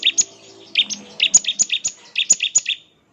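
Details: Bar-winged prinia singing the 'ngebren' style said to draw answers from other prinias: a fast run of bright, high, slightly ringing two-part notes, several per second in small groups, ending abruptly.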